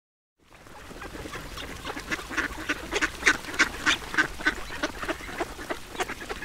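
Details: Domestic ducks quacking while being fed, a rapid chatter of short nasal quacks coming in bursts, roughly a hundred and more per minute, rising in loudness toward the middle with overlapping birds.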